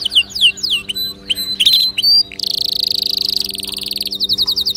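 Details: Singing canary, offered to prompt other birds to sing: sharp sweeping chirps and notes followed by a sustained fast buzzing trill, with a low constant hum beneath.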